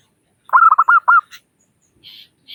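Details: Local zebra dove in 'crystal' voice, meant to draw other doves into calling: one rapid phrase of five mellow coos with falling tails, followed by a few faint higher chirps from another bird.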